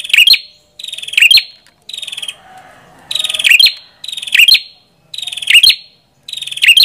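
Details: Repeated high buzzy-trill phrases from a Prenjak kepala merah, each ending in sharp metallic chips. A faint scratchy rustle fills a short gap in the middle.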